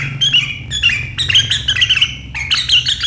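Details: Sooty-headed bulbul in sharp riwikan chatter, the style said to make rival birds join in, 7 April 2023; dense runs of harsh twittering notes with bright whistled flecks, a brief gap near the middle.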